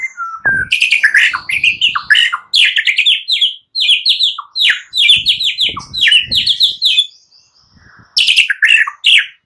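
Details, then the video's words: White-rumped shama in morning song aimed at prompting silent birds: dense, rapid cascades of high twittering and descending notes in long phrases, pausing once before a final burst. "Pancingan murai batu PAGI HARI, ubah BISU jadi respon Gacor"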